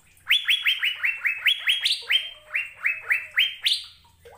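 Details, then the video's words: Asian fairy-bluebird singing vigorously and melodiously: a fast series of loud, clear whistled notes, each sweeping up sharply and then holding level, repeated about four times a second, with a few higher-pitched notes near the end. "Burung Sorga Cucak Biru Sedang Bernyanyi Gacor"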